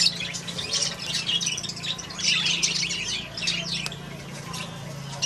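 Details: Baby African grey parrot; dense overlapping squawks and chirps, high and harsh, in quick bursts throughout, with a steady low hum beneath.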